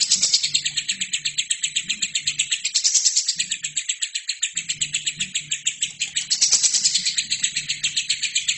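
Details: Lovebird chattering without pause in a training recording for other birds. Rapid, high, metallic chirps repeat about six times a second, rising in loudness twice, while a soft low hum comes and goes beneath.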